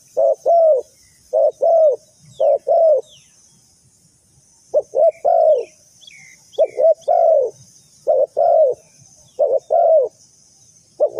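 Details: Lure spotted dove for trapping, cooing in bursts: short-long pairs of mellow low notes, a pause of nearly two seconds, then more pairs, with faint chirps of small birds and a steady high hiss.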